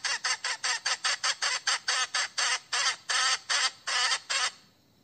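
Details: A hen seeking a rooster with her koi call; a run of coarse, squawking notes at a quick beat that slows and lengthens toward the end, then falls silent.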